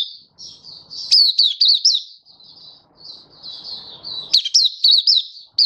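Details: Malaysian white-eye song recorded in warm, sunny Singapore, March 2023: continuous high warbling broken by loud runs of sharply slurred twittering notes, with faint low noise between bursts.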